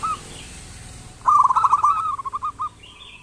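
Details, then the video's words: Local zebra dove in full song, meant to stimulate lazy doves to call: after a short coo, a quick rolling string of notes that slows and softens into separate spaced coos, plus faint higher chirps. "Perkutut lokal gacor pancingan perkutut malas agar bunyi"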